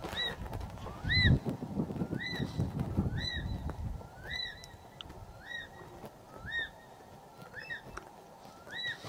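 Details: An unhappy Martial Eagle calling at the start of the day, with a leopard in the same tree, gives clear, rising whistled notes about once a second, with a low rumble of wind or engine underneath early on.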